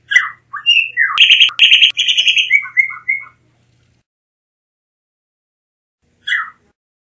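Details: Blue mockingbird singing a varied run of whistled and slurred notes broken by a harsh rattling burst, about three seconds long, then silence and one last single note; faint low hum.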